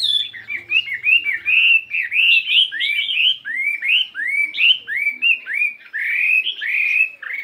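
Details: Chinese hwamei, a fighting bird weighing 72 grams, practising its voice in the morning: a steady string of upswept and downslurred whistles, roughly one and a half per second, with varied pitch.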